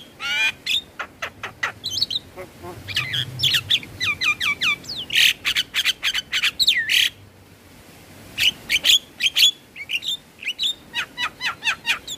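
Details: Javan myna song, played mornings and evenings to stimulate stressed caged birds that are reluctant to sing: fast runs of harsh squawks and clicks mixed with sliding whistles and rising, hooked notes, pausing briefly near the end.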